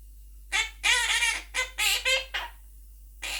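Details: Quaker parrot, a Monk parakeet, chattering and singing with its owner; a run of rough, harmonic-rich squawks with wavering pitch, some notes bending downward, delivered in uneven bursts before a final rasp.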